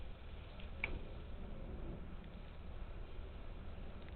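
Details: A quiet low hum fills the recording, broken by a single sharp tick near the start, with no animal voices.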